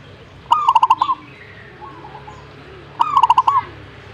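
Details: Zebra dove answering with two song phrases about two and a half seconds apart. Each is a bright upslurred coo followed by a fast rolling series of soft pulses ending on a lifted note. Quiet murmuring is heard between them.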